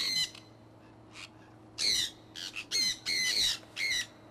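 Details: One screech, a pause, then a run of loud, raspy squawks in quick bursts from a pet conure flock flying outdoors in Iowa in early spring 2003.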